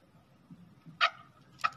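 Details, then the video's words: Male chukar partridge (Peshawar chakor) used as a shikari hunting-decoy bird gives two short, harsh clucking notes about two-thirds of a second apart over a low background hum. "shikari chakor awaz sound voise singing"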